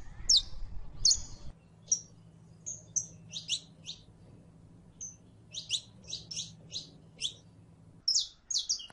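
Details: A saffron finch (Sicalis flaveola) sings high, sharp chirps and short trilled phrases in irregular bursts over a low steady hum.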